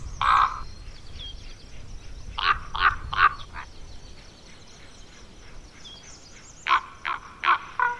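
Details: Juvenile common ravens, Côtes d'Armor, France, giving rough croaks: one call, a pause, a quick run of three harsh caws, a long gap, then four more hoarse calls in steady succession.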